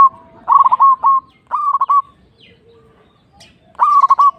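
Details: Zebra dove, local Indonesian type, singing three closely spaced phrases of rapid, staccato coos, each starting with an upward note, with a faint soft call heard between them.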